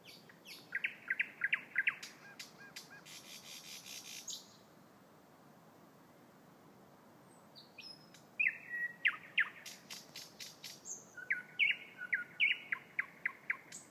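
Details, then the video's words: Loud thrush nightingale song in two bursts separated by a pause of about four seconds: rattling, knocking clicks mixed with piping notes and whistles, a rapid churring series, and fast repeated phrases. "Thrush Nightingale"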